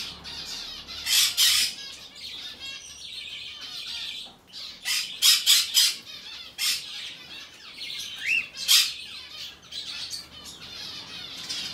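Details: A hand-tame aqua pallid monk parakeet chick gives harsh, raspy squawks in irregular bursts, with softer chattering between them and one brief rising squeak; recorded 2022.5.22.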